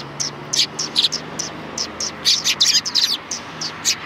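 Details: Several sparrows at a Tenmangu shrine on 3 January 2020 chirping busily, short sharp tweets tumbling in clusters and overlapping, with a steady low hum underneath.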